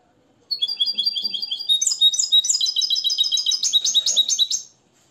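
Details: Tutored Moroccan European goldfinch singing limpio style: after a short silence, a continuous stream of sweet, rapid twitters and liquid trills lasting about four seconds, growing busier toward the end.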